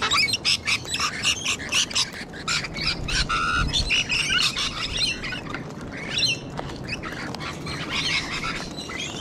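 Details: Cockatoos, with Sulphur-crested Cockatoos and Rainbow Lorikeets present, at a bird spot in Sydney, Australia: loud harsh repeated squawks in quick bursts, then rasping screeches and a background of chattering birds.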